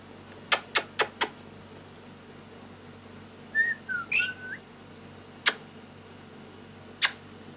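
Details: Lory during daily activity and play, indoors: sharp clicks repeated four times, then a short run of whistled, gliding and warbling notes, followed by two isolated sharp clicks.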